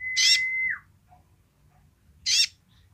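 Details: Sunbird's basic song: a flat, held whistle dropping into a short downslur, overlapped by a harsh, buzzy burst. A second rasping burst follows about two seconds later over a low background rumble.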